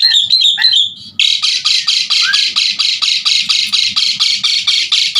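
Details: Asian pied starling in full song, used as a tutor for other songbirds: a brief whistled opening, then a fast train of harsh buzzy notes, about two per second, held for several seconds.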